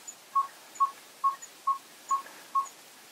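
A Yellow-rumped tinkerbird gives six short, hollow, low-pitched 'tonk' notes at a steady pace of just over two per second, with a faint hiss behind.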